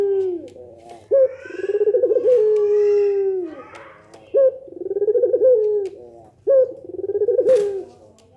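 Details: Repeated low coos from a Barbary dove in pelung nangguk style, meant to get other doves responding; three phrases with sharp starts and drawn-out endings, with light rustling in the background.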